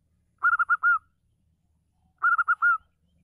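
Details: Female local zebra dove cooing to provoke males that have stopped singing. Two phrases about 1.8 seconds apart, each a quick run of clipped cooing notes ending in one longer drawn-out coo, over a quiet background.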